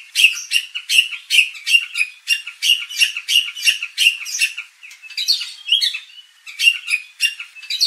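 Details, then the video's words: White-rumped shama song for provoking contest birds to sing out their repertoire; rhythmic harsh chack-like notes repeated roughly every third of a second, interrupted by a brief varied twittering phrase. "pancingan murai batu agar emosi bongkar isian"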